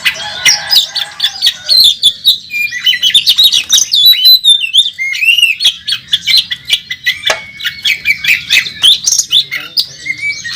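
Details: Oriental magpie-robin competing on a contest track, a national champion in aggressive full song: continuous bright whistles, fast chip series and slurred descending notes, with a long thin whistle and steady loud delivery.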